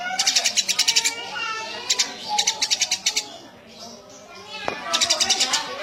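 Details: Eurasian tree sparrow chirping in quick, rattling series of high notes, several bursts with a quieter stretch and a single click-like sound near the end before more chirps.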